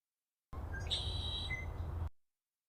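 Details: Red-winged blackbird recorded in the wild near Seattle: a few short introductory notes, then a buzzy, trilled conk-la-ree lasting about a second, ending in a brief higher note, over low rumbling background noise.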